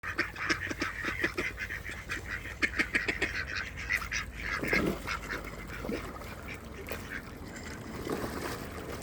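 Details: Hungry village ducks crowd in for feed on a cold evening in Flintshire, North Wales, giving a dense run of rapid, overlapping quacks and clipped calls, with scattered splashes and bustle beneath.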